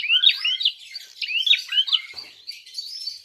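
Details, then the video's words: Prinia in fighting call, used to provoke rival birds: repeated rising chirped notes in quick clusters, roughly two to three per second, high and bright with brief pauses between groups. "Prenjak tarung gacor"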